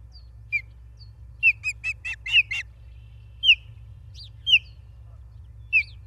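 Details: Osprey calls at a nest in Charlo, Montana, on 28 August 2023: sharp, high whistled chirps, some in a quick run of four or five, others single and spaced about a second apart, with a low steady hum beneath.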